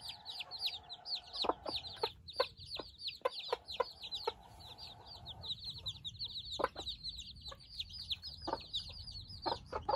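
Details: Many newborn Silkie chicks, out in the open for their first time alongside four hens, give rapid shrill descending cheeps that run together without pause, punctuated by sharp clicks and soft low clucks.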